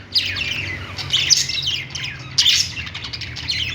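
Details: Pet-store budgies chirping on a perch: rapid rising and falling warbled notes in clusters, with louder harsh peaks near one and a half and two and a half seconds, over steady hum.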